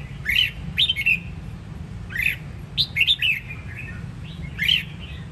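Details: Red-whiskered bulbul, Sông Kon strain from Đông Giang, Vietnam: quick clusters of two or three liquid whistled notes alternating with single arched notes, some soft trailing warbles, low hum beneath.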